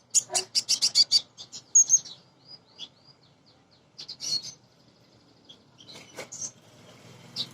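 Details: Female sunbird, a bird used as a lure to stir untrained caged sunbirds into singing, gives a fast run of high, sharp chirps. Thin twittering notes follow in scattered bursts, with a faint low hum behind.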